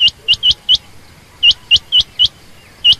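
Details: Female quail, common or rain quail, uttering a quick run of loud, high, upward-flicked chirps, four in under a second, a short break, then more.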